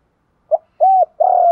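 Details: Spotted dove giving a morning lure call to attract other doves; a short note, one arched coo, then the start of a longer coo, cut off abruptly.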